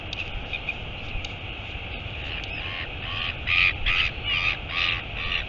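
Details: Royal albatross at its nest as the mother arrives, Taiaroa Head colony near Dunedin, New Zealand, 23 August 2022, live nest camera; a quiet start, then five or six loud, hoarse calls in quick succession over a steady hiss of wind.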